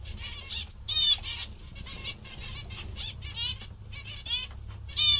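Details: Happy zebra finches produce clear, nasal, trumpet-like calls in quick bursts separated by short pauses, with some rising and falling notes and faint wing flutters, over a low background hum.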